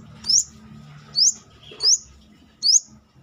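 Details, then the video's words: Outside its cage, a Brown-throated sunbird repeats four bright, rising, piercing whistles about every three quarters of a second against a low background murmur. "KORLAP (Kolibri kelapa)Manggar gacor luar sangkar"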